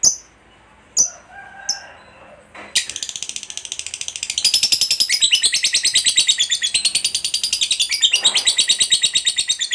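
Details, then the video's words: Lovebird song used to stimulate other lovebirds to sing: a few scattered high chirps at first, then a long, dense stream of rapid rasping notes building louder and continuing to the end. "Suara Burung Lovebird DURASI PANJANG, TERBUKTI Paling Cocok Buat Pancingan Labet Agar Cepat Ngekek"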